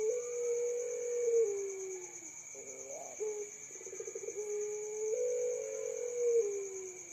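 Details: Fainter recording of a young puter pelung dove, calling by day and night: a long drawn coo falling at its end, a rough wavering phrase and pulsed stutter, then another sustained note sliding down, amid hiss.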